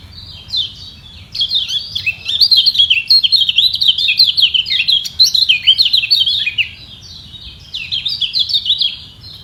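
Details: Lemon-bellied white-eye (kecial kuning) in a song war fought to hold its place at the top. A long, busy warble of high zigzagging chirps runs about six seconds, pauses briefly, then resumes.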